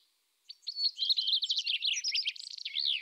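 Eurasian tree sparrow giving a fast run of bright, high chirps and twittering notes for two and a half seconds, with no other sounds.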